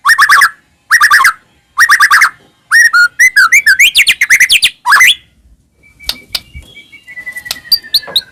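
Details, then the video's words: White-rumped shama song played as a lure to set caged shamas singing: three buzzy repeated bursts, then a tumbling run of looping whistled notes, ending in thin faint high whistles. "murai batu gacor AMPUH buat PANCINGAN murai batu agar bunyi"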